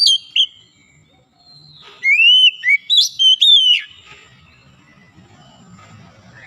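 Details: Oriental magpie-robin, a lazy singer being trained to sing freely, gives two quick notes, then a run of five or six loud, clear whistles, rising and then falling, followed by quiet.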